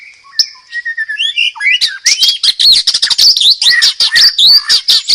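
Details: White-rumped shama (murai batu) singing a loud, prolific masteran-style song: a few clear whistles, then a rapid, varied run of sharp chirps, slurred whistles and trills, high-pitched and densely packed.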